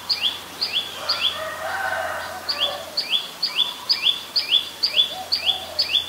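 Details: Adult Common Tailorbird, a common resident, recorded in Ubon Ratchathani, Thailand, on 20 April 2022: bright, sharp high notes repeated about twice a second, each dropping slightly in pitch, with a brief lower chattering passage near the start.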